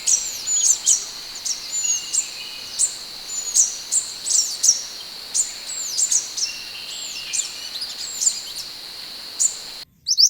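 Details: Scarlet minivet, recorded for training other birds, gives thin, high, downslurred whistles spaced about once a second, over a steady high-pitched background drone.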